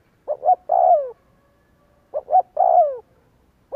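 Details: Spotted dove coo used as a lure to start other doves cooing: two full phrases of two quick notes and a drawn-out descending croon, then the start of a third.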